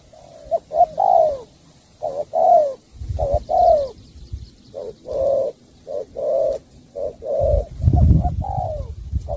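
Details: Spotted dove from Cà Mau cooing in repeated short-long phrases, the long notes sliding downward, with occasional low knocking sounds in the background.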